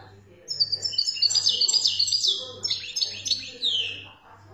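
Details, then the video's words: Song of a European goldfinch recorded in Algeria: lively, high twittering phrases of clear whistled and buzzy notes, rising and falling in quick succession, with a steady low hum in the background. "تغريد الحسون 🇩🇿 الخلوي للخلوي"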